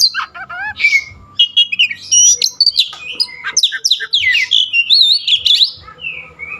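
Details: A dense, rapid medley from an oriental magpie-robin, or kacer: whistled slurs, chattering notes and twisting trilled phrases tumble together almost without pause, closing on a falling whistle.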